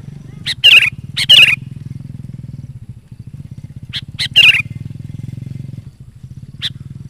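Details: Actively singing sooty-headed bulbul, used to call wild bulbuls and train decoys. Loud bubbly whistled phrases come in pairs, each led by brief high notes, over a throbbing engine-like low rumble.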